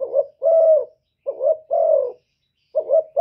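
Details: Cooing spotted dove of the 'thổ thúc' voice type, used to provoke wild rivals: deep two-part coos, brief warble then sustained hollow note, about one phrase every 1.3 seconds.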